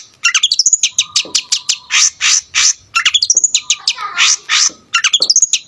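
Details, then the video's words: Long-tailed shrike singing in full, varied style to provoke rival shrikes: rising whistled slurs alternating with loud harsh buzzy notes and rapid chirp runs, bursts roughly every two seconds, clear and close. "BURUNG CENDET GACOR FULL ISIAN,SUARA COCOK BUAT EMOSI CENDET LAIN"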